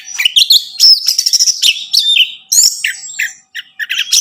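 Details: Captive-bird stimulation song of an orange-headed thrush, a dense run of loud warbles, chatters and rising and falling whistles delivered almost without pause.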